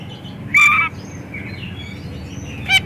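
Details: Oriental magpie-robin in steady, varied song, played to coax other magpie-robins to sing. A single loud grating note stands out, with faint twittering and a short second rasp near the end over background hum.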